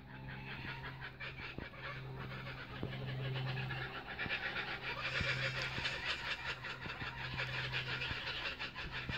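Kookaburras cackle in a raucous, rapidly pulsed chorus that swells louder halfway through, over a steady low engine-like hum.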